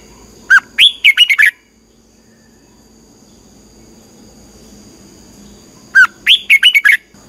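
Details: Red-whiskered bulbul training song, twisting-voice style, used to excite birds: two identical bright whistled phrases of about six quick, tumbling notes each, about five seconds apart, with quiet background between.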